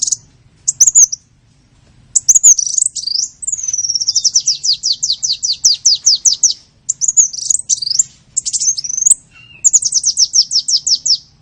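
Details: Lure sound for attracting small birds: sharp high chirps, then a long fast series of evenly repeated descending notes lasting about three seconds, followed by twittering phrases and another rapid trill.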